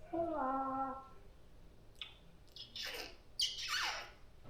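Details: A pet African grey parrot (Psittacus erithacus) gives a brief, voice-like harmonic squawk, then a run of hissing, rasping bursts mimicking Darth Vader's heavy mechanical breathing.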